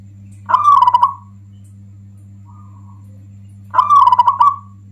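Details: A local Zebra Dove's strong song, said to anger rival doves and suited as a lure: two bubbling, rapidly pulsed coo phrases about three seconds apart, a faint soft note between, over a low steady hum.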